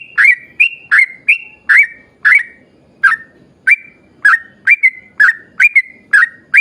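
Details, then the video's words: Yellow-vented bulbul in long, rapid 'ropel panjang' song, played to spur other bulbuls to sing. Quick paired whistles run at first, then a short lull, then a denser burst of bubbly, slurred notes. "trucukan gacor ROPEL PANJANG buat pancingan trucukan agar bunyi"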